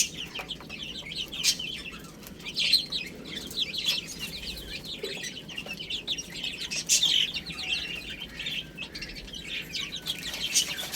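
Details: Baby chickens eating spinach, giving a dense chorus of high, thin peeping chirps that overlap continuously, with louder bursts near three, seven and eleven seconds over faint background hiss.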